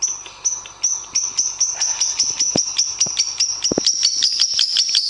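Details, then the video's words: A lovebird gives a long, shrill, high chattering trill, steady and unbroken, with sharp clicking chips about two or three per second running through it, a master song for training lovebirds to sing. "SUARA BURUNG - Masteran Terbaik Love Bird"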